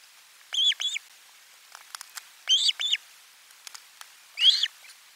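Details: Osprey at the nest with a lunch fish on 12 July 2022, captured by the nest's live camera: paired, down-curving whistled cheeps repeated about every two seconds, ending with one harsher, louder note.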